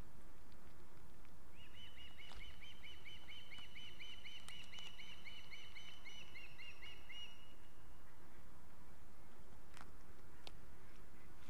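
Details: Osprey chicks at an Estonian nest, 8 August 2018. A long, fast chatter of short, thin whistled notes runs steadily for about six seconds above constant background hiss, with a few clicks.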